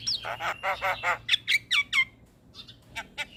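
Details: Starling song meant to make caged starlings respond: a short run of rasping buzzy notes followed by clear descending whistles, then fainter chips.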